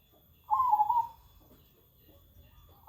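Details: Zebra dove cooing all day and unafraid of people, giving a single short, quavering, slightly falling coo, then quiet.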